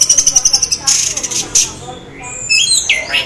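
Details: Orange-headed thrush, half in breeding condition, singing to lure fellow thrushes into answering; quick pulsed high ticking notes give way to buzzy bursts and then sweeping whistled slurs.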